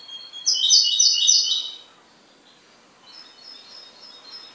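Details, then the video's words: A goldfinch owned as a pet delivers a short, loud burst of fast liquid twitters, then falls almost silent apart from faint, high notes trailing off. "MI JILGUERO"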